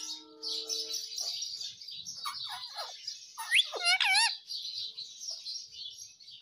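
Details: Pet talking Indian ringneck parakeet, said to say 'Mummy Papa' and 'Mitthu Mitthu', making a few sharp falling squawks then a loud wavy harmonic screech, over a constant high hiss of chirping.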